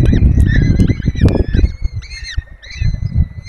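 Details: Peregrine falcons at a nest in the Barycz Valley, Poland, watched by webcam while four chicks are fed: short, repeated whining calls over heavy low rumbling and knocking nest noise.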